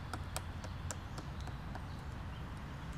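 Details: In a park, a Black woodpecker hacks destructively at a tree in sharp, irregular knocks, two to four a second, with a steady low rumble underneath.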